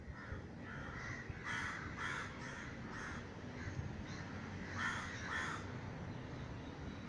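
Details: Startled crows in Sri Lanka, scattered into the sky over a garden by a gunshot meant to drive them off, giving harsh caws at irregular intervals, some in quick pairs, against a noisy outdoor background.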